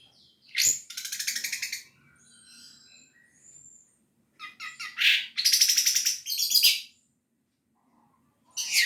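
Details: Orange-headed thrush in energetic song, used to spur other thrushes into singing: loud rattling bursts and buzzy trills alternating with thin high whistles and brief pauses.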